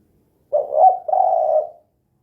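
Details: Single 'kuk 2' phrase from a gacor spotted dove: a husky coo that swells slightly, then straight into a longer even low coo, in otherwise silent surroundings.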